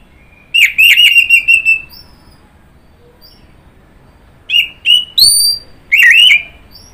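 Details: Orange-headed thrush (anis merah) song opening with a scratchy trilled phrase, then after a pause several short clear whistles and a final rolling note.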